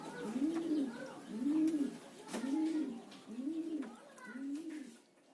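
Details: Spotted dove lure call meant to prompt other doves to answer: five low, smooth, arched coos, roughly one each second, rising and falling in pitch, over quiet indoor background with a few soft clicks.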